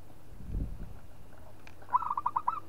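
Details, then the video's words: Local zebra dove calling to provoke a rival: after some low rustling, a short burst of rapid hollow coos, about five staccato beats in quick succession. "PERKUTUT LOKAL GAJOR JAGO MEMANCING LAWAN BUNYI"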